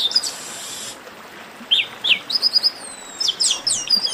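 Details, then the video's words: Esquenta warm-up of chestnut-capped blackbird: a short buzzy note opens, then after a pause come paired upslurred chips and quick twittering notes with long thin descending whistles, all high-pitched and lively. "Melhor Esquenta de Garibaldi"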